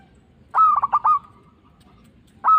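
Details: Local zebra dove, a frequent singer, used as a lure for trapping doves and to provoke others to answer: a cooing phrase of four quick pulsed notes at mid pitch, then a pause before another phrase begins.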